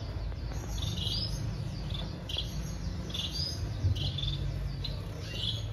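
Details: Breeding Society finches (White-rumped munia) give soft, thin chirps and short chattering bursts every second or so, over a steady low rumbling hum.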